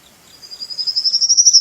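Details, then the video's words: Male bird calling to find a mate: a high, thin pulsed trill that starts faint and grows louder, about eleven rapid pulses rising slightly in pitch over a second and a half. "Cara burung jantan mencari pasangan"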